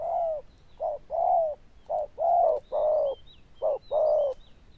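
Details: Zebra dove, said to have a loud bell-like voice and fine cooing, delivering hollow paired coos, short then long, while other birds give thin high chirps in the background.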